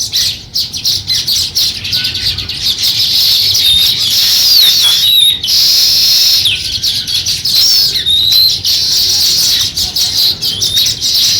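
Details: Quick, scattered sparrow chirps while the birds start building a nest, mixed with looping whistled glides and a continuous high shrill drone. Brief pauses break the chatter.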